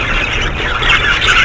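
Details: Budgerigars in a bird setup calling all together, a constant blur of shrill squeaks, chirps and scratchy warbles, growing slightly louder toward the end.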